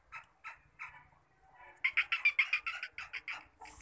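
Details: A kept black partridge giving a few separate harsh, raspy notes, then a fast run of about a dozen grating notes in quick succession, ending with a brief hiss.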